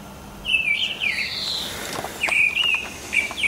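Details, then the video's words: Mistle thrush singing in the morning in March or April 2010: two short bursts of loud, fluty whistled phrases, each about a second long, separated by a brief pause, over faint background hiss. "Misteldrossel mit Gesang"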